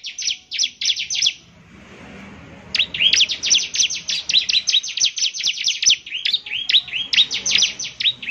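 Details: Bar-winged prinia song meant to set other prinias answering: a short burst of dense high chirps, a lull of soft background hiss, then a long energetic stream of rapid notes.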